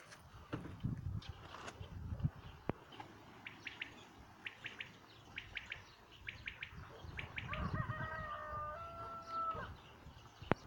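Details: Common quail song recorded in 2019: short three-note bursts repeated about once a second, with a sustained tonal whistle from another bird near the end and low rumbling noise throughout.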